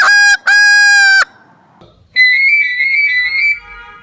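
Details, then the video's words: Pet parrot mimicking household sounds: two loud, clear, steady whistled notes, the second held nearly a second, then after a short pause a long, slightly wavering whistle at a higher pitch, with laughter nearby. "Funny Parrots Sing Dance & Mimic Baby Cat Dog"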